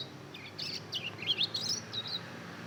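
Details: A two-month-old young hybrid of Mozambique canary and canary, learning to sing, gives a short run of thin, high chirps and twittering notes, unevenly spaced, with a faint low hum beneath.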